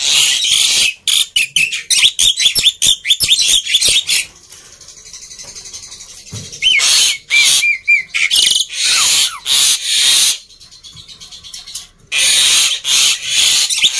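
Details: Noisy, constantly chattering black-winged myna song, played to coax reluctant birds into singing: long harsh rasping bursts and scratchy chatter, with brief whistled notes and a couple of short pauses between loud bouts.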